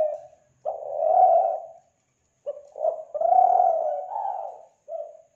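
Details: Spotted dove (tekukur) lure call, Kelantan: two full cooing phrases, each opening with short hollow notes and stretching into a long, mellow, gently wavering coo, followed by a short closing coo.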